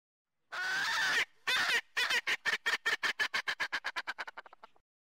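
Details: Erckel's francolin, introduced to Hawaii and locally called the Laughing Bird, gives a long harsh grating note, then a run of about twenty short rasping cackles that quicken and fade away.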